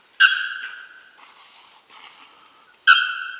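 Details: Young male Bare-throated Bellbird recorded singing near Porto Seguro, Bahia, in north-east Brazil during November 2012; two piercing, metallic bell notes roughly two and a half seconds apart, rich in overtones and ringing out slowly, with soft fainter sounds between.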